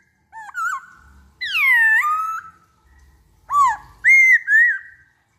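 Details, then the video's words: Lure song of a black-throated laughingthrush: a clear whistled note, then a long rich falling-rising sweep, followed by two bright upslurred whistles near the end. "Pancingan Poksay Hongkong Paling Ampuh"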